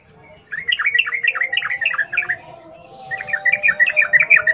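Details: Sooty-headed bulbul in 'ngalas ropel' wild style, played to prompt caged bulbuls to sing: fast, bubbly chattering phrases of slurred notes, a short break, then a brighter rapid run.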